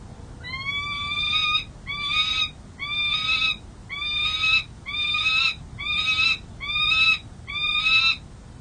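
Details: Second-year male peregrine falcon at a San Jose City Hall nest with 3 eggs, 13 April 2023, gives a harsh, ringing alarm series of rising calls, about one per second, eight in all, defending the nest, over a low hum.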